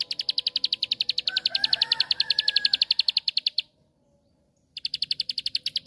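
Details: Bar-winged prinia (ciblek sawah) song used as a lure to provoke other prinias to sing: a fast, even train of sharp high chips, about four per second, breaking off briefly, then resuming. A soft lower warble runs beneath mid-phrase.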